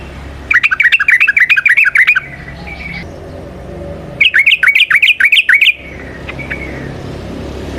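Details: Trucukan, the yellow-vented bulbul, in energetic long rolling song used as a training lure: two fast runs of bubbly, warbling chattering notes, each lasting over a second, then quiet with a faint hum.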